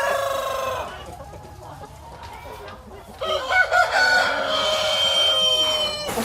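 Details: Hens cackling in a chicken coop on a poultry farm: a long wavering harmonic cry at the start, a quieter stretch, then loud sustained overlapping squawks and cackles from several birds.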